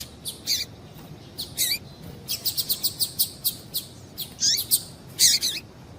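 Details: Female double-collared seedeater calling to stimulate males into singing: a busy run of high, sharp chirps, some with quick downward-sweeping tails, grouped in short bursts over six seconds with brief gaps between them.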